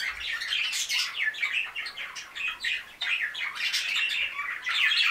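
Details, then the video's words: Five new budgerigars chatter continuously, a dense mix of scratchy, buzzy warbles and quick high chirps overlapping without pause. "Wellensittiche zwitschern"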